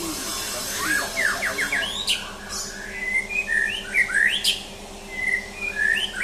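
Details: Mental test of a champion white-rumped shama. A rapid scratchy trill opens, then comes a series of loud, rich whistles and downslurred notes spaced a second or so apart, over a faint steady hum.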